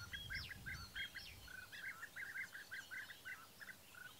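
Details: European bee-eater (Merops apiaster), male and female in the breeding season, courting with courtship-feeding, Baden-Württemberg, Germany, May 2015: a rapid series of short, rolling, liquid calls repeated several times per second, over a steady hiss of background noise.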